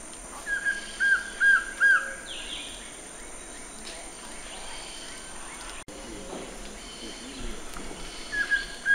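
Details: Collared trogon phrase of four even, mellow notes in the first two seconds, a quieter stretch with faint rustling and a brief dropout, then the same notes returning at the very end.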